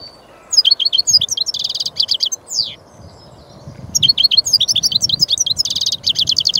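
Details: European goldfinch (Carduelis carduelis), a small, partly migratory finch: two long bouts of quick, high twittering with jingling buzzy trills and downslurred whistles, separated by a brief pause.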